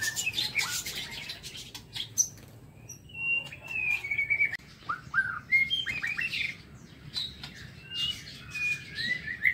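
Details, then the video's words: Aviary-kept white-rumped shama in morning song: rich whistled phrases with downward swoops and trills, interspersed with sharp clicks and fluttering. "Tiếng Chích Chòe Lửa độc lạ hay"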